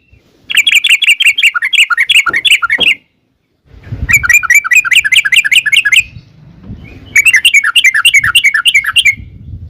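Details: Sooty-headed bulbul delivering three long bursts of quick, chattering notes separated by short gaps, with low rumbling noise between bursts.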